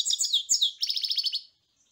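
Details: A European goldfinch gives a few quick liquid twitters, then a rapid series of about nine bright, repeated chirping notes ending abruptly.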